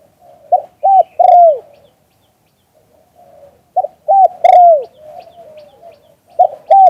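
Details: Spotted dove, 'liu tan' coo style, recorded live: repeated three-note cooing phrases roughly every three seconds, a short note, a flat coo and a long descending coo, with faint low coos in between.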